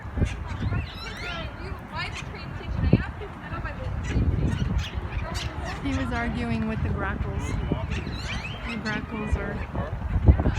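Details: A noisy flock of green parakeets in a tree at Barton Springs, Austin, on 27 December 2018 gives harsh, overlapping squawks and chatter without pause, louder than nearby grackles, with a man's voice underneath.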